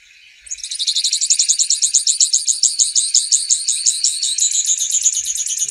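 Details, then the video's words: Grassland yellow finch song: one long, rapid, high-pitched trill of evenly pulsed buzzy notes lasting about five seconds. "Misto Canto - Misto Llamado - Sonido! Cantando! - Grassland Yellow Finch Bird Song - Sicalis Luteola"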